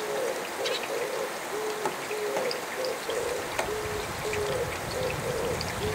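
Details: Oriental turtle dove calling early in the morning while getting wet in the rain: soft, low, hollow coos in a steady, repeating rhythmic phrase against a constant hiss of falling rain.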